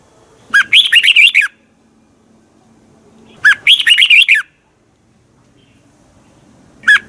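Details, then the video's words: Red-whiskered bulbul from Thailand, a teacher-style training song: two bright bursts of quick, bubbly whistled notes rising and falling, each about a second long and three seconds apart, with the start of a third at the end; quiet room background. "ฝึกเสียงของคุณเพื่อทักทายกับยอดเพลงและร้องเพลงที่มีไฟอย่างรวดเร็ว นกกรงหัวจุก"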